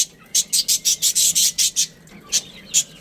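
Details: Budgerigar breeding pair chattering: about eight quick, harsh, high chirps in a fast even series, then a pause and two more single chirps.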